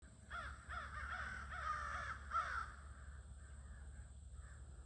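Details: Several crows at an evening crow gathering, mostly hidden in trees, on Aug 22, caw in quick succession: harsh, slightly descending notes about one per second, fading after two and a half seconds over a low background rumble.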